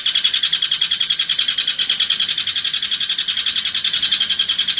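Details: Long-tailed shrike (Lanius schach) in a loud, rapid-fire song of harsh, scratchy high notes, about three or four each second, without pause; used as a lure recording for shrikes.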